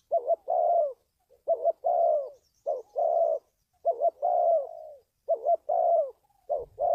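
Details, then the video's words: Spotted dove lure call for trapping wild doves: repeated low cooing phrases, each a quick stuttered double note then a longer fading coo, about six phrases in seven seconds, with a faint rumble at the very end. "tiếng chim cu gáy luyện mồi kích bổi,đi bẫy hiệu quả"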